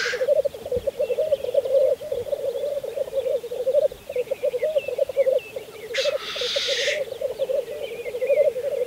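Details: Spring 2014 black grouse lek, Saaremaa. Continuous murmuring, bubbling coo with brief pauses, broken by a harsh hissing burst at the start and a longer rushing hiss two-thirds through.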